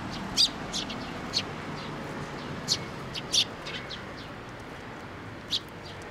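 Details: Fledgling sparrows arriving at a shrine to be fed, late May 2024; scattered sharp high chirps, some doubled, coming irregularly about every second or two over low ambient noise.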